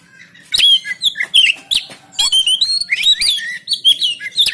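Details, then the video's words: Oriental magpie-robin, Banten, Indonesia, recorded by phone as a singing prompt for silent birds: after a faint start, a loud flowing sequence of clear looping whistles and slurred notes with occasional sharp clicks. "SIULAN NGOTOT EMOSI‼️Memancing Kacer Macet Bunyi Gacor Bongkar Isian"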